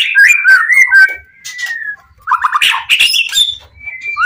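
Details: White-rumped shama in full song, used to provoke other shamas into answering; clear whistled notes followed by a burst of harsh, varied chattering phrases and a final rising whistle.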